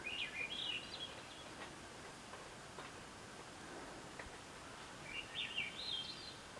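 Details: At the end of June 2024, one of two Swainson's Thrushes present gives two fluty, upward-spiraling phrases about four seconds apart, quiet against a steady hiss of background noise.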